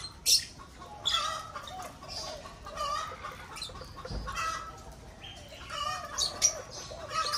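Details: Shrill squawks and chirps from lovebirds breeding in an aviary, spaced bursts throughout, a loud piercing call at the start and further harsh notes later, with continuous low background chatter.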